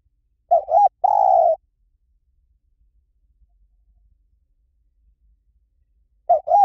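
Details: Spotted dove singing in the หลิ่วตัน song style, used to lure and train another dove to answer: two short rounded coos and one long, even coo, with the phrase starting again after several seconds of quiet.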